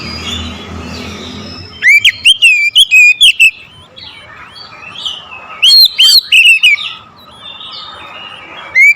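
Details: Oriental magpie-robin singing aggressively after being provoked by a rival, two loud bursts of quick whistled wavering notes with harsh overtones, quieter chatter between them.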